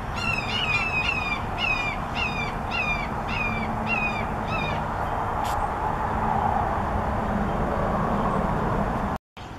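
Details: Red-shouldered hawk giving a series of about eight loud, descending, two-part screaming notes over roughly five seconds, then falling quiet, against a steady rushing background noise.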